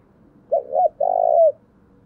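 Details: Single full coo phrase from a lure spotted dove with a thổ-style voice, meant to draw wild doves: a quick two-part note, brief pause, then a long even rolling coo ending with a slight lift.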